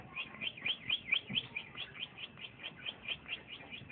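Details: Young male green leafbird (cucak ijo), a caged bird in its early singing stage: an even string of rapid high chirped notes, about four per second, over faint background noise.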